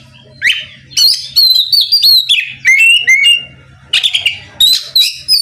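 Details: Oriental magpie-robin in full song to challenge a rival into singing: long runs of clear whistled notes stepping downward, interleaved with harsh rasps and squeaks, over faint low hum.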